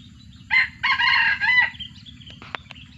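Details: Captive F1 junglefowl bred from wild stock, kept in a collection, gives a short crow: a brief opening note, then a longer harsh, rasping two-part phrase lasting about a second, followed by scattered clicks and a sharp knock over a low hum.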